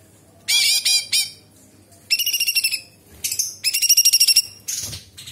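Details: Cucak cungkok bulbul in full song with varied sharp phrases: several separate bursts of harsh, high, squawking and chattering notes, some rapidly repeated, with short pauses between them.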